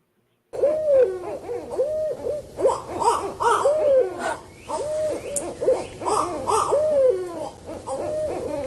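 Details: Barred owls in a group give their rarer whooping, monkey-like calls, often mistaken for Bigfoot: wild hoots arching up and down and overlapping in a raucous, cackling chorus that runs on for several seconds.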